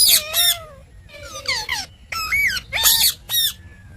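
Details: Pet parrot talking in several distinct phrases: long gliding harmonic notes sliding downward, rising-and-falling syllables, and harsher bursts, with short silences between phrases.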